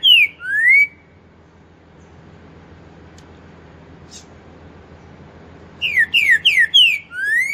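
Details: Green-winged saltator in 'pantaneiro 4 nota' style: the end of one phrase with a falling and a rising whistle, about five seconds of near silence, then a full phrase of four quick downslurred whistles and a rising closing note.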